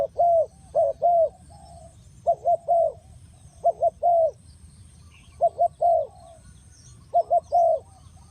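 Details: ['Spotted dove used as a trapping lure gives paired and tripled soft coos in short bursts, separated by pauses of one to two seconds, with a quiet low background hum.']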